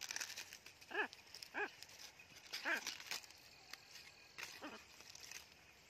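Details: Pet talking blue-and-gold macaw in a garden: short, nasal, harmonic calls with a rising-falling bend, four of them spread over six seconds, with faint high chirping of small birds behind.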